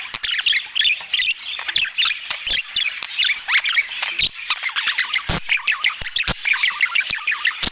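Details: During a meal, budgerigars give quick rising and falling chirps and warbles in rapid series, with sharp clicks and taps cutting through the chatter.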